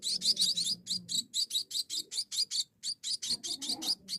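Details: Young munias calling for food during feeding, giving rapid high, scratchy chirps in quick bursts with short pauses and faint low rumbling behind.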